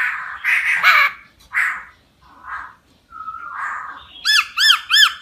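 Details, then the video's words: Forest laughingthrush singing: harsh squawking phrases and a short flat whistle, then a fast series of bright, arched, upslurred notes repeated rapidly near the end. "CHIM KHƯỚU RỪNG HÓT CỰC HAY"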